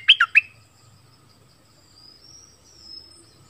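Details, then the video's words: A decoy bulbul from southern Thailand gives three sharp, loud, slurred notes in quick succession, followed by near quiet with a faint thin whistle in the background. "#เสียงนกต่อดอกแตงใต้100% #นกดอกแตงเจ้าเพชร Burung merbah lekir"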